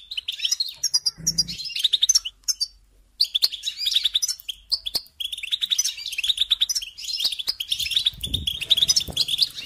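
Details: European goldfinch delivering lively twittering song, strings of tinkling, slightly buzzy chirps in phrases separated by short silences, with brief low thumps now and then.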